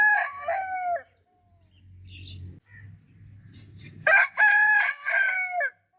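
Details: A rooster gives two crows, the first ending with a falling tail, the second loud, strongly harmonic and drawn out in several segments; low background rumble and faint clucks between them.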